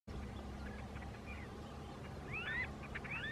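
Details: A Chiloe wigeon (Mareca sibilatrix) gives two short bursts of clear, bright whistles that slur up and down, close together near the end, over a steady low rumble.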